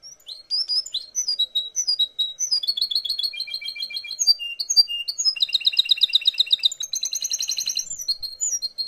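A goldfinch hybrid sings a bright, rapid twittering song, working in great tit phrases: quick repeated tinkling notes and high buzzy runs, with no other sounds.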